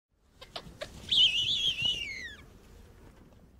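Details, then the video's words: An African bearded vulture gives a few short clicking notes, then a shrill, wavering whistle that slowly falls in pitch over about a second. "the african bearded vulture call"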